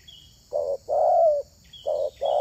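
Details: Spotted dove calling as a lure for other doves: low hollow coos in pairs, a short note followed by a longer drawn-out falling note, with faint distant chirps between.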